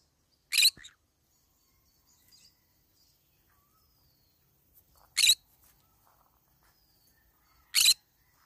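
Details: Green-cheeked conure eating banana leaves, uttering single sharp screechy squawks spaced several seconds apart, three in all, with near silence between them.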